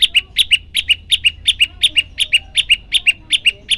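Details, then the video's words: A hungry prenjak lumut sings actively in quick paired notes, a higher chip followed at once by a slightly lower one, the pairs repeated steadily about every three-eighths of a second, clear against quiet surroundings. "prenjak lumut lapar gacor"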